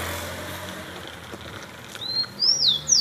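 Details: A Rufous-collared sparrow (Zonotrichia capensis), a captive bird, sings three clear, high whistled notes in about a second, the middle one rising and the last sliding downward, over a faint low hum.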